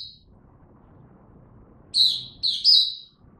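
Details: Mata puteh, the Oriental white-eye, recorded 3 January 2022 ramping up in song: after a pause, three quick high sweet chirps, the last strongest and slightly trilled, over quiet background.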